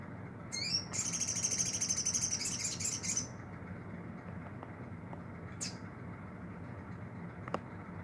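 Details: Caged olive-backed sunbird kept for training, now starting to sing actively; a fast, very high thin trill run for about three seconds, then two brief high sharp notes over steady low background hum.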